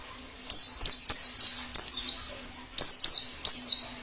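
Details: Forest-dwelling wild white-eye giving short clusters of very high, descending twittery notes, each cluster about a second long, separated by brief silences.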